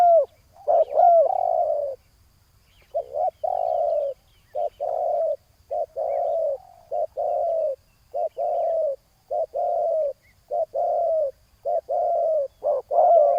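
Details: Wild spotted dove with a big voice answering a decoy on the ground: a long run of low, husky coo notes in short groups separated by brief pauses.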